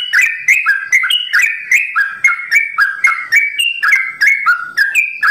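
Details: Sooty-headed bulbul with a long rapid 'ropel' song in 'simbar jati' style: rapid alternating high and low whistled notes, each phrase quickly following the last, loud and clean.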